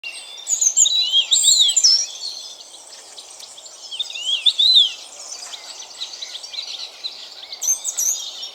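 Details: European robin singing at dawn in spring forest, light filtering through dense woodland; high, thin, sweet warbled phrases with sliding notes in short bursts, separated by quieter pauses, over a steady soft background hiss.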